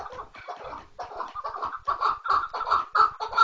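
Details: Chukar partridge making short bursts of harsh, clucking notes. The bursts come irregularly at first, then get louder and more regular toward the end.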